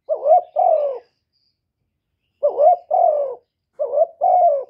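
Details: Spotted dove urging and cooing: three two-note phrases of low throaty coos, a quavering rising note then a longer falling one, with a long silent pause after the first phrase.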